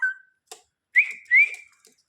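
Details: A pet talking parrot gives a low steady note, then a click, then two rising whistles in quick succession, the second one longer. Soft clicks sound in the background of a quiet indoor room.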